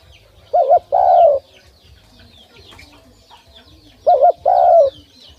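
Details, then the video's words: Pet dove that sings whenever its keeper comes near: two paired coos, a quick wavering note then a drawn-out falling one, repeated after about three seconds over a soft low hum and faint high chirps. "An Awesome Dove Sound"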